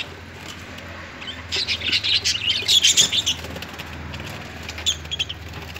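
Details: Fighting parrots erupt in a dense, rapid run of rasping squawks and chirps for about two seconds mid-clip, mixed with wing flapping, then fall to a few scattered calls.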